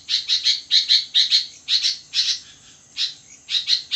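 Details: Sooty-headed bulbul in full midnight song, rapid chattering bright notes in clusters of two or three, several clusters per second with brief gaps, bubbly and lively, a faint high tone behind.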